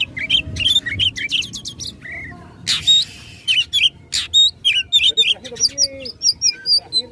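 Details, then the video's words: Oriental magpie-robin singing to provoke rivals in a fight: varied whistled phrases with buzzy harsh notes, then a steady series of clipped repeated whistles. "Kacer Gacor tarung memicu emosi lawan"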